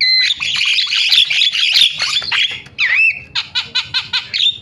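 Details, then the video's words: Starling lure call: a long harsh hissing screech, a dipping whistle, then a series of short bright notes repeated about twice a second. "MASTERAN JALAK SUARANYA BIKIN JALAK PADA TERIAK"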